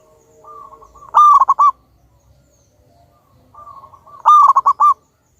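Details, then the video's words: Very vocal local zebra dove, used to lure other birds: two phrases about three seconds apart, each a soft drawn-out lead-in note followed by a loud rattle of four or five quick coos. "Pancingan burung perkutut Lokal Alam super Gacor suara Besar"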